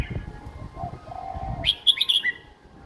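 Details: Red-whiskered bulbul, young and caged, singing an easy song style for copying by young birds; after quiet soft whistles comes a quick, loud run of bright chirped notes, then fading.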